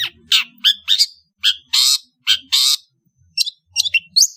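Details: Indonesian long-tailed bird singing in the afternoon: loud, harsh, grating squawks and rasping buzzes mixed with short high chirps, in irregular bursts, over a faint low background hum.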